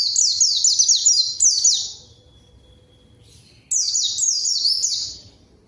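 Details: Rival-luring song of a white-eye in top form: rapid cascades of high, sweet, falling whistled notes, a long opening run, a quiet gap of about two seconds, then another burst.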